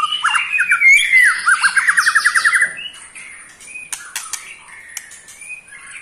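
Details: White-rumped shama aged eight months, kept as a cage bird, giving a ketrekan trill that provokes other shamas: about two seconds of rapid, regular rattling pulses, followed by soft whistles and scattered clicks.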